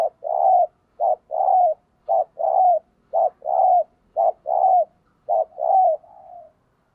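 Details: Decoy spotted dove kept in a cage, cooing 'thúc gù' style to provoke wild birds. A short hoot is followed by a longer, rounder coo, and the pair repeats steadily about once a second, six times, ending in a fading drawn-out note.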